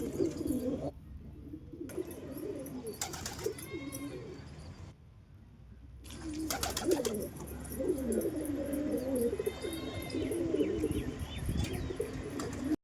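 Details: Several rounds of low, murmuring pigeon coos, interrupted by brief silences and knocking sounds, while small birds chirp faintly higher up.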